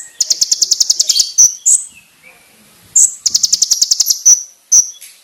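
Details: Master song of a konin for training, loud and clear: two long, very high buzzy pulse trills, each followed by sharp piercing whistled notes, with a brief lower twitter in the pause.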